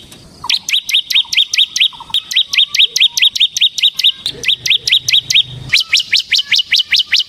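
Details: Bar-winged prinia (ciblek semi gacor), song meant as a lure and tutor for other ciblek: steady train of bright, sharp chirps, a few softer lower notes early and a faint low hum midway.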